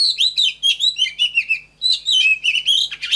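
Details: Oriental magpie-robin in full song for training caged birds to sing well: dense string of clear whistled slurs and rapid twittering notes, with one brief break near the middle.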